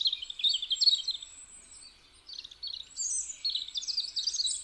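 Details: A European robin, in a recording used as a hunting lure, sings high, liquid warbling phrases with thin trills and quick twitters, broken by a short pause midway. No other sounds intrude.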